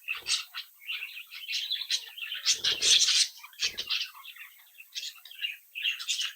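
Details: Captive-bred budgerigar youngsters, a whole brood chattering together: continuous warbling of chirps and scratchy twitters, a few soft low thumps, perhaps wingbeats, around the middle.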